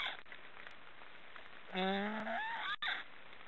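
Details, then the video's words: Snoring black storks: a drawn-out, nasal, slightly rising snore lasting about half a second, then a shorter upward-sliding note, over a steady background hiss. "Black storks are snoring"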